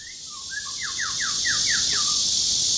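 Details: Male white-rumped shama singing at Luodishan Nature Park, Mituo, Kaohsiung, Taiwan, 13 June 2018, filmed on a Canon PowerShot SX720HS: a quick run of six slurred, descending whistled notes after short opening whistles, over a steady high insect drone.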